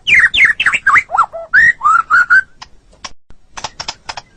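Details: Murai batu, the white-rumped shama, singing on a master recording for training songbirds: rich slurred whistles dipping and rising, a few level fluting notes, then sparse sharp clicks and ticks.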